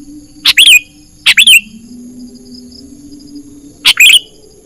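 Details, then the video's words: Wild-bird trapping lure of a sooty-headed bulbul; sharp, piercing chirp clusters of two to three notes, two close together then a longer gap, with a faint steady hum behind. "Suara pikat burung kutilang gacor"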